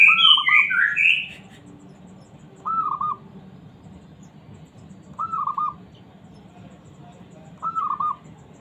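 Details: Small zebra dove calling to provoke other doves into answering: short, warbled cooing phrases repeated four times, about every two and a half seconds, with higher, brisk chirps from another bird at the start.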